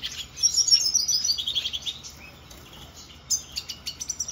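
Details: A siskin recorded in 2024 sings a fast, high twittering run of descending notes, then breaks into a string of sharp, separate chirps.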